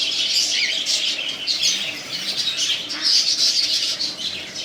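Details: Cockatiel pairs kept indoors give harsh, buzzy squawks and chirps in a busy overlapping chorus, with a few soft low thumps.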